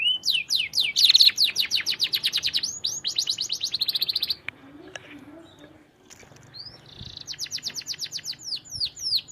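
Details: Nonstop canary song used as a tutor for other canaries. It opens with a rapid even trill of high sharp notes, pauses in near silence with faint low background noise, then resumes with another fast high trill.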